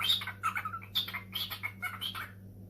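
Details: Pet cockatiel indoors, answering a phone call: a run of short, scratchy squawks and chirps, about five bursts in under three seconds, with a steady low electrical hum behind.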